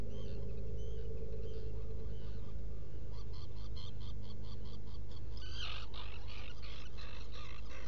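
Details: Black guillemot giving thin, high twittering whistles in quick bursts of about four notes a second, over a steady low rumble and hiss, from a burrow camera on Seal Island NWR, Maine, 18 June 2018, early morning.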